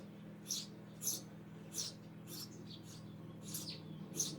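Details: Eurasian tree sparrow chirping repeatedly, bright high notes coming every half second or so with a few softer, lower chirps between, against a steady low hum.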